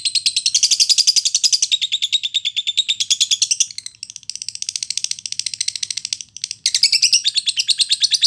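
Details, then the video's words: Timi lovebird training audio for fighter-class competition birds; bursts of dense, shrill chattering trills separated by short breaks, varying between higher and lower sections. "Masteran durasi lovebird timi cepat nyaut tarung buat burung kelas fighter"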